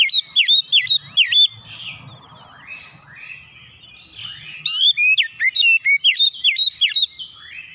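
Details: Oriental magpie-robin singing in a loud 'nembak' burst style: bursts of sharp whistled, downward-slurred notes around four to six per second, a quieter warbling passage in between, then another rapid run of shrill slurred phrases.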